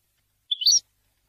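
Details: Tame European goldfinch, a pet bird trained to attack and bite a finger, giving a single brief twittering phrase of high, slurred, buzzy notes lasting under half a second.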